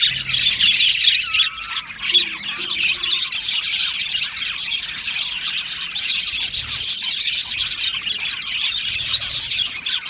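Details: Flock of budgies in an aviary warbling and chirping continuously, a thick shrill murmur of many voices, with one clear whistled note early on.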